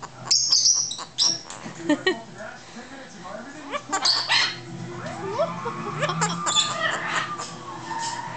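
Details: Pet male Hahn's macaw (Red-shouldered macaw) doing his trained mimicked 'evil laugh' on his owner's prompting: harsh squawky bursts, then a run of cackling rising and falling notes, with the owner's voice alongside.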